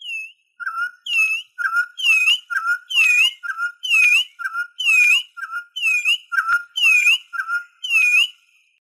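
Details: Venezuelan troupial song, offered for teaching birds and calling others; loud, clear whistled phrases alternating a low note with a higher rising-falling whistle, repeated roughly once a second in a steady run.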